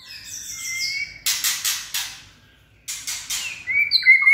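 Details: White-rumped shama with a steely-toned voice: high layered notes, then a run of sharp clicking bursts, a pause, more clicks, and a rising clear whistle at the end.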